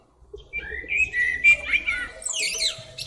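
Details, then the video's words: Blackbird perched atop a tree sings a mellow, fluty warble of low whistled notes, ending in a higher, squeaky twittering flourish, over a faint low rumble. "Blackbird Singing"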